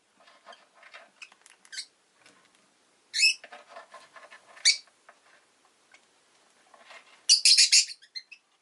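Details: Amid soft clicks and rustling, a pet rosy-faced lovebird gives scattered shrill chirps, ending in a dense, loud burst of rapid, harsh chirping.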